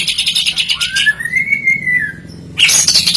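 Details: White-rumped shama song: rapid chattering notes, then one long, smooth whistle that rises and falls, ending with a sudden harsh, high burst.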